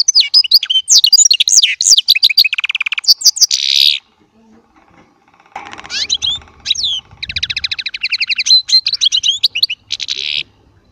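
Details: Small baster (goldfinch hybrid) singing in goldfinch style, with long fast-chattering phrases of high tinkling notes and dry buzzy rattles, a gap in the middle, then another rapid twittering stretch.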